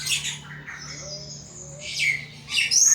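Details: Caged pet thrush (anis) singing in the intense, nonstop ngeplong style: scattered high, squawky notes and a few rising phrases over a steady low indoor hum.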